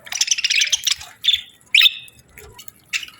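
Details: A budgie gives a rapid burst of scratchy warbled chirps, then pauses, followed by a couple of short, sharp whistled squeaks and a final brief chirp against near silence.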